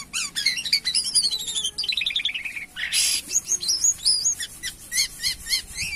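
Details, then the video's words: Jalak kapas myna in gacor song: a quick series of chirps and a descending stepped trill, a harsh noisy burst midway, then rapidly repeated short whistled notes. "Burung Jalak Kapas Gacor"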